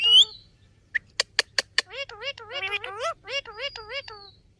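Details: Pet Indian ringneck parakeet talking: a short bright whistle, then four sharp clicks, followed by a run of wavering, voice-like syllables in rapid bursts, with one thin high whistle drawn out at the end.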